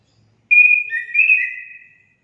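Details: Orange-headed thrush song used to prompt caged birds to sing: one short, pure whistled phrase, a steady high note that overlaps a slightly lower whistle and fades out after about a second and a half.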